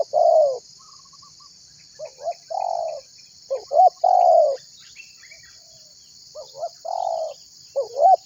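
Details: Spotted dove calling keenly to make other birds join in, a call used for luring: spaced pairs of hooked coo notes and sustained coos with pauses between, a few faint distant chirps and a steady background hiss.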